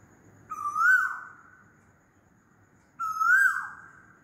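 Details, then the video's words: Loud calls of an Asian koel: a pair of rising whistles, roughly two and a half seconds apart, each strong and clear against a still background. "LOUD KOYAL CALLING"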